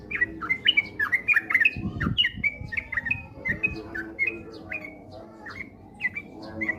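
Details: Sooty-headed bulbul song used as a lure to make other birds sing eagerly: a rapid chatter of short bubbly chirps around the middle pitch, tumbling in quick succession, with faint low rumbling noise underneath.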